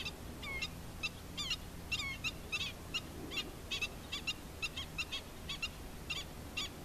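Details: Adult black-winged stilt accompanying its chicks: a series of clipped, nasal, yelping calls with some quick rising inflections, delivered in uneven bursts over constant low-frequency background rumble.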